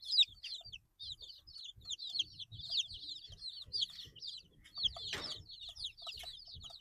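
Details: Flock of 8-day-old chicks peeping steadily in shrill falling chirps, many voices overlapping, with low thuds of movement and a brief scraping noise midway.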